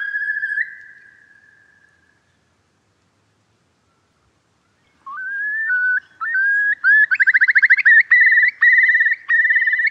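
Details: Eurasian curlew: a single drawn-out whistle that fades, a few seconds of silence, then a rising series of whistles accelerating into a fast, rippling bubbling trill.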